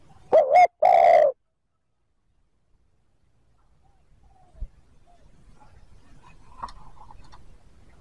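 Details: Spotted dove cooing in the 'thúc gù' style meant to draw in wild birds: one clipped double note and a longer hollow coo, then quiet with faint distant chirps and rustling.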